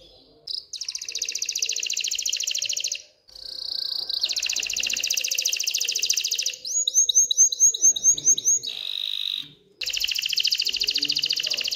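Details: An excited canary sings to stimulate hens to mate and nest, with long rapid buzzing rolls broken by a stretch of clipped repeated chirps and brief pauses between phrases.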